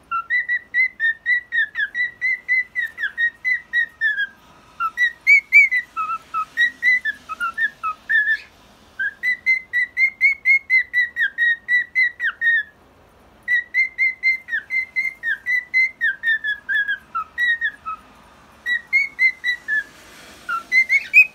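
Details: A pet female cockatiel (Nymphicus hollandicus), on the first day after laying an egg, whistles rapid runs of clear, slightly wavering notes, about four per second, in repeated phrases.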